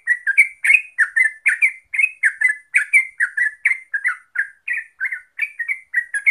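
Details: Loud, close yellow-vented bulbul song: rapid sequence of rich, gurgling whistled notes repeated about three per second with no other sounds.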